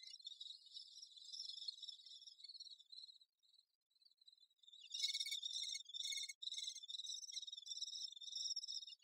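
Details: Great spotted woodpecker busy with its young, heard as a high buzzy chattering that dips to a quieter lull midway, then returns louder and more intense as rapid rasping pulses.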